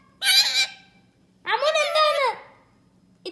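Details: Pet parrot vocalizing: a loud, harsh, squawking burst, then a longer, rich, harmonic utterance that rises and falls, and a brief clipped sound at the end.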